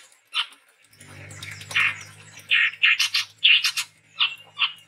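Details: Sumatran forest chestnut-rumped babbler, a male, calling persistently: scattered loud harsh chips and squeaky notes over a steady low hum.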